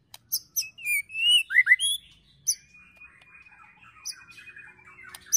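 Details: White-rumped shama in excited ketrekan song style, filled with cililin and prenjak phrases, used to provoke and train birds: sharp high chips, rising whistled slurs, then a long thin steady whistle with faint chatter.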